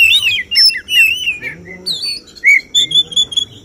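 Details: Contest Oriental magpie-robin voicing 'tembakan' song: wavering whistles and slurred notes, varied rising phrases and a short series of repeated high notes.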